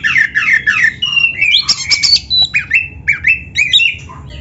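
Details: Kacer, or Oriental magpie-robin, singing rich training material: it opens with three harsh, descending squawky notes, then gives a run of bright whistles and upslurred chips at an even, quick rhythm over low background hum.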